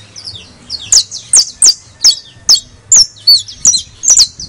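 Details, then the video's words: Saffron finch singing, used as a recording to encourage singing: a quick run of high, bright chip and slurred notes, about two per second, fairly even in loudness, with soft low background hum. "AUDIO PARA ESTMULAR CANTO DE CANRIO DE TERRA CRIOLLO"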